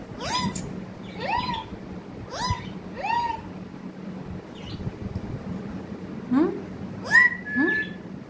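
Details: Several upward-sliding, meow-like vocal notes from a parrot, spaced about a second apart, followed by softer low slides and a couple of short whistled tones near the end, over a faint hum.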